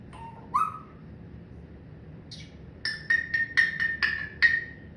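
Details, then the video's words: Indoor pet parrot that laughs, talks and coughs gives a short rising whistle, then a quick run of about eight clipped, knocking notes in an uneven rhythm, like a chuckle. "PARROT MY BUDDY HIS LAUGHING TALKING AND COUGHING"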